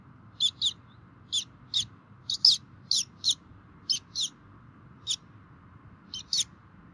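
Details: Bald eagles at a Minnesota nest on 3 May 2016, 11:48, with both parents feeding chicks, caught by a nest webcam: about a dozen short, high, thin chirping notes, often in pairs, over a steady low hum.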